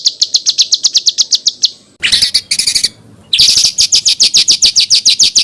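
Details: Edited small-bird material with rough phrasing: a regular series of high piercing chips, a burst of noisy scratchy notes, a pause, then more loud, rapidly repeated high chips.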